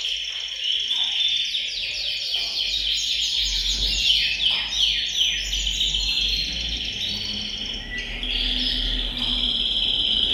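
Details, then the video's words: A bird room full of singing canaries, played to stimulate male song and female breeding readiness: dense cascades of rapid descending trills and chirps, later settling into a steady high rolling trill, with faint low background hum. "أقوى تحفيز لتغريد وتجهيز الكناري، تغريد جماعي في غرفة الطيور سيجعل طيورك تغرد مباشرة"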